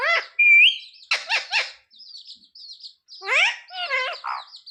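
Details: Pet parrot talking about wanting roti from mummy; a few bent word sounds, a clear rising whistle, then rapid raspy syllables, with soft high twittering between phrases.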